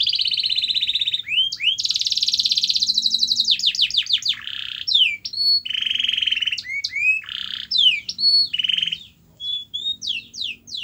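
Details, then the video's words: A canary's varied song, played so a quiet canary will start singing: loud buzzy trills, harsh rasping blocks and clusters of sharp sweeping notes in changing tours, with faint low background noise. "Kenari Anda MALAS BUNYI, Coba Putar Video Ini !!!"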